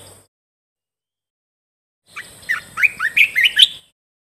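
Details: Cage-kept red-whiskered bulbul, song meant for tutoring birds: after a long silence, one fast string of about six rising whistled notes, sweet and rollicking, over a thin high hiss.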